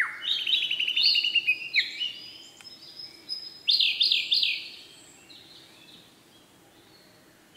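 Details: Male Siberian blue robin singing: a rapid series of high, evenly spaced ticking notes rising into sharp whistled phrases, then a loud burst of quick slurred notes before fading to quiet background hiss.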